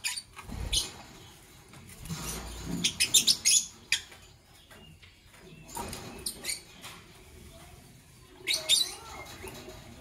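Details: Fischer's lovebirds, parblue violet and pastel green opaline colour forms, chirping in the morning; sharp, high-pitched chirps come in short clusters near the start, middle and end, between quieter rustling and soft knocking sounds.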